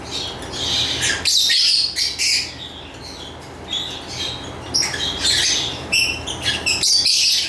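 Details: Lovebird chattering busily with harsh, shrill chirps and raspy squawks in dense clusters, a quieter lull in the middle, then renewed rapid bursts of high notes.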